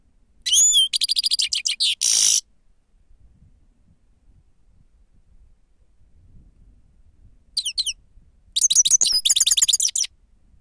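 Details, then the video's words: Grey-crowned goldfinch song labelled sava, used as a lure: two bursts of high, liquid twittering with tinkling trilled notes, separated by about five seconds of near silence. "седоголовие щегол сава"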